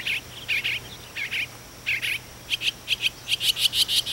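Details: Mockingbird on a house chimney at dawn, heard every morning for a week, chirping to its friends. Paired high chirps give way to a fast, evenly spaced run of sharp notes.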